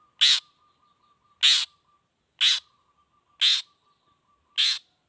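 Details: Long-tailed shrike 'toet toet' lure call: five rough, buzzy notes repeated roughly once a second, over a faint constant low hum.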